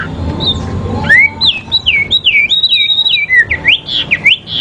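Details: Fighting sooty-headed bulbul from a dueling session. Bright whistled notes run in a quick chain of looping slurs, then sharp V-shaped upsweeps. Light low noise sits under the opening.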